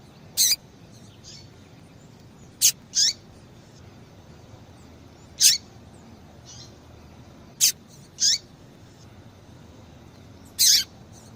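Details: Female Double-collared Seedeater calling a lot, the call breeders use to stimulate a male's singing and in female-call tournaments. Sharp, high chips come singly or in quick pairs every two to three seconds, with faint softer notes between.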